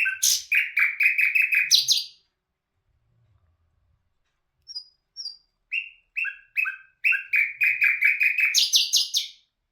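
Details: A nightingale delivers a fast, rich churring trill, falls silent, then builds again from a few high thin notes into repeated slurred notes and another rapid rattling run.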